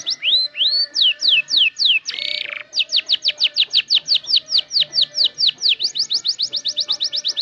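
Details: Canary beginning to learn sounds and song phrases, used as a lure: rising whistles, a run of down-slurred notes, a short buzzy rattle, then a faster, tighter series of falling notes.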